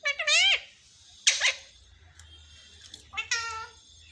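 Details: Talking parrot said to repeat "mummy mummy", heard in a small room: three drawn-out harmonic wails with falling, meow-like contours, spaced about a second apart, and faint low background rumble.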